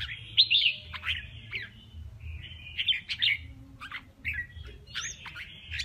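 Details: Contest singing by a male red-whiskered bulbul: separate slurred whistles and sharp downward chirps with gaps between them, quieter, over a steady low background hum.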